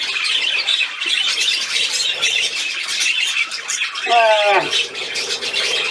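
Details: Budgerigar playing on 13 December 2019 chatters without pause in a busy, high-pitched twittering warble, with one short burst of German speech near the end.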